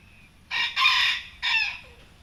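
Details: Thai bantam rooster, an ornamental native breed, crowing during an evening walk among the birds: a short harsh crow broken into three bursts over about one and a half seconds, with quiet background before and after.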